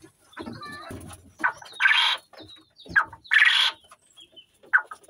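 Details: A newly singing male Coturnix quail, still a bit rusty, crows three times, each a short sharp note then a harsh raspy burst about every one and a half seconds; males compete by calling in front of females.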